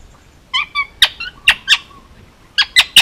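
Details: Indian ringneck parakeet, a male almost two years old, hand-fed and raised on Oahu, Hawaii, giving loud, harsh squawks and short nasal calls in an uneven run, several clustered together, pausing midway.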